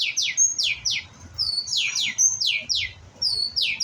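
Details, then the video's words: White-rumped shama, young and still learning its song, repeating loud downward-slurred whistles in pairs and triplets, each note sweeping sharply from high to lower pitch, with brief pauses between groups. "murai batu pastol belajar bunyi"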